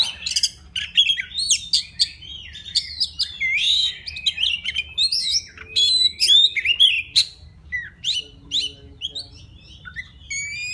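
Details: A forest White-rumped shama sings to summon a female: loud, melodious whistled phrases mixed with buzzy rasps and quick chirps, roughly two phrases a second, fading to softer notes toward the end.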